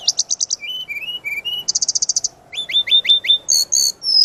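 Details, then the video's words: Varied master song from a brown-chested jungle flycatcher for training birds: a rapid high trill, level whistled phrases repeated four times, a fast buzzy rattle, a series of downswept chirps, and a closing long high whistle. "Suara Pancingan dan Masteran burung Srdc gacor full isian"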